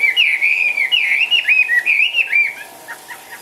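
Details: Chinese hwamei kept in a cage, lively and hopping, pours out strong rippling whistles with rapid upward and downward slides, then drops to a few softer clipped notes near the end.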